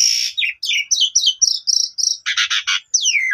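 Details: Singing Asian pied starling on a lure track for silent starlings. Starts with a high whistle, then a run of falling chirped notes, three harsh buzzy bursts and a sweeping downslurred whistle to finish.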